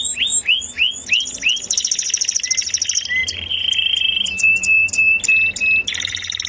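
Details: Sweet canary song beginning with spaced upward-curving chirps, moving into a buzzing trill and a run of clear short whistles repeated in quick succession.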